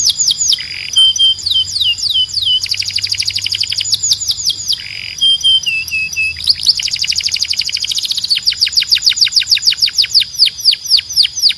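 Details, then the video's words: Loud, clear canary song made of fast down-slurred whistles, rapid rattling trills and short warbled phrases that switch pace every few seconds, all high-pitched and continuous. "Ultimate Canary Singing Compilation – Loud, Clear & Relaxing Sounds"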